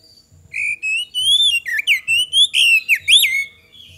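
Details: Oriental magpie-robin singing a lure song to prompt other birds to respond. A loud, fluid whistled phrase rises and falls, broken into roughly eight connected notes with a final upward flourish.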